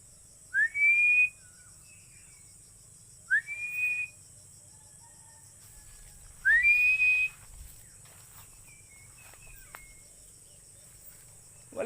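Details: Philippine eagle giving three high, thin whistled calls, each a quick upward slur leveling into a short steady note, spaced a few seconds apart, over a quiet background with a constant high hiss.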